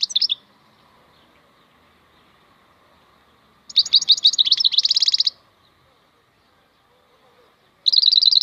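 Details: European goldfinch (maknine khalwi) song: brief chirps, a long quiet gap, then a fast jingling phrase ending in a rattling trill, and another bright burst starting at the end.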